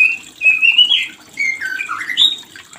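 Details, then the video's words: White-rumped shama call to stimulate breeding: a few sustained clear whistles that step downward in pitch, with short gaps between phrases, then a final higher upslurred note. "Suara ini untuk memancing Birahi murai Batu yg macet Produksi"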